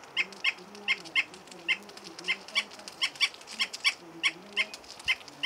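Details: Cargacha, or Andean flicker, recorded at 3600 m altitude in the hamlet of Zarcilleja, Baños del Inca, Cajamarca: a steady series of brisk, sharp notes, roughly three per second, with a faint low droning tone underneath.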